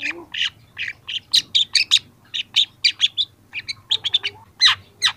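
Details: Young long-tailed shrike singing a dense, fast stream of chattering and squeaky notes, harsh and varied, with barely any pauses. The song is used as a training recording.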